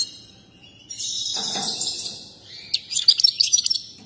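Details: Excited goldfinch performing its dance: a drawn-out, slightly buzzy twitter followed by a quick run of sharp, bright chirps near the end.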